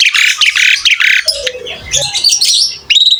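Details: Asian pied starling in energetic song. Loud, harsh, buzzy bursts are followed by a quieter stretch of scratchy notes, then shrill, high whistles return at the end.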